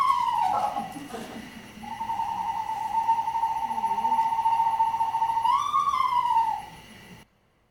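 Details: Eastern Screech-Owl, a species favouring urban neighbourhoods, in New Jersey: a horse-like whinny, a brief falling whistle then a long, even, rapidly trembling trill lifting and dropping at the end.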